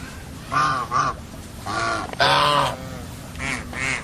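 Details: Geese give loud, blaring nasal honks in pairs and single drawn-out calls, each rich and harsh, separated by short pauses.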